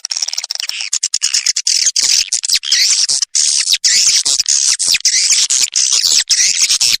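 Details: Edible-nest swiftlet call used as a lure by swiftlet farmers: shrill, churring twitter in sustained rasping phrases, with only brief breaks over seven seconds.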